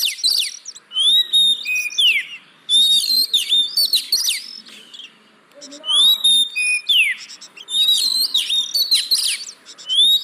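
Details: Oriental magpie-robin song played as a lure to get reluctant caged birds singing: rich, varied whistles, sharp rising and falling slurs and buzzy chatter in dense phrases, with brief pauses between bursts.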